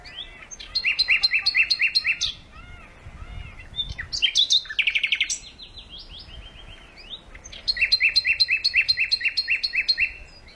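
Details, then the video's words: Birdsong with rapid repeated chirping trills in bursts, a higher twittering phrase in the middle, then another fast run of repeated notes; faint low background rumble. "пение птиц"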